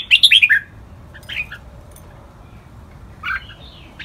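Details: A red-whiskered bulbul in a training recording of 'lak wai' song opens with a fast run of five bright, chirpy whistled notes. Fainter single notes and a soft rising whistle follow over a low background hum.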